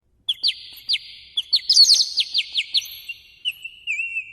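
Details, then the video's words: Birdsong in the morning: quick, sharp, downward-sweeping chirps repeated at an uneven pace, some overlapping, then a few wavering whistled notes at the end. The background is otherwise quiet. "아침명상 - 새소리"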